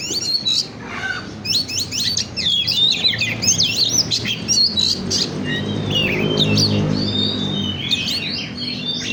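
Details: Oriental magpie-robin singing as a stimulation lure: a dense, continuous stream of rich whistles, chattering trills and sweeping notes, loud and busy throughout, with a low engine-like hum rising in the background partway through.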